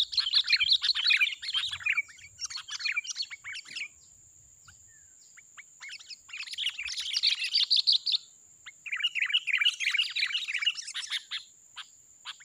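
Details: A wild sooty-headed bulbul, thought to be a fighter, at a young oil-palm plantation during trapping, sings in bursts of lively, bubbling chatter, several seconds each with short pauses, over a steady high insect-like whine.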